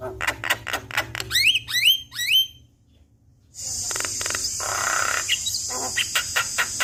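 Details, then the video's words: Javan myna in full song, used as a lure to make a quiet myna start singing: quick clicks and rising whistles, a pause, then a long hissing rattle with clicks. "Jalak Kebo Full Isian Bikin Jalak Bisu Buka Suara"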